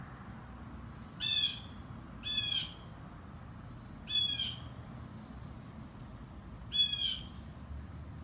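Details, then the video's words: Series of four harsh, grating jay calls from a Blue jay, spaced about one to two seconds apart, with two faint high ticks between; bird kept at a distance so it would not flee. "Geai bleu"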